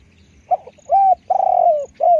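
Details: Spotted dove used as a decoy calling a single phrase: a clipped note, a rounded coo, a long burry croo tapering down and a final falling coo, with faint low rumble behind.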